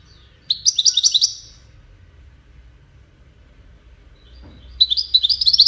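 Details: Widani-style song of a European goldfinch for teaching chicks: a short burst of rapid buzzy twitters, a long quiet gap with faint low background hum, then another lively twittering burst.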